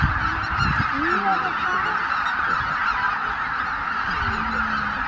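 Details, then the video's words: More than 83,000 Greater white-fronted geese flying out from their roost at Miyajima-numa at dawn, 23 April 2017, poor weather, Canon PowerShot SX710HS: massed honking fills the air, with some lower sliding notes near the start. "マガン ねぐら立ち"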